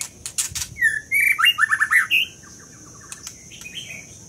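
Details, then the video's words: Scarlet minivet: sharp clicks, then rising whistled notes and a rapid cascade of five downward-slurred whistles ending in a higher note. Fainter soft twitters trail off afterward. "Lửa siêu hót"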